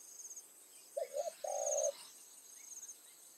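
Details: Spotted dove calling as a decoy during evening trapping to attract wild doves. One hoarse phrase: two quick short coos and then a longer drawn-out coo, over a faint steady high-pitched insect drone.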